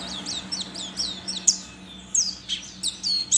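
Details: Caged white-eye entered in an online singing contest in Sambas, West Kalimantan, Indonesia, kept on banana and egg-food; high thin downslurred whistles repeated rapidly, then sharper scattered chirps, with a faint low hum beneath.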